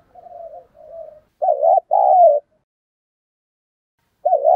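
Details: Spotted dove kept as a lure bird, cooing in the thổ voice style: two soft, low, drawn-out coos, then a loud two-part coo, a short wavering note and a longer falling one, with a new phrase starting at the end.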